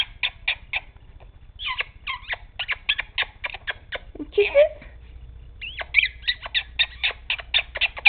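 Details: Male pet Quaker parrot indoors, acting silly, giving a rapid series of sharp high clicks and chirps, possibly kiss sounds, broken by a short lower squawk in the middle.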